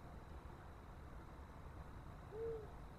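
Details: Long-eared owl near a nest, birds seemingly interested in the nest, recorded 18 March 2024; one soft, low, hollow hoot sounds late in the clip over steady low rumbling background noise.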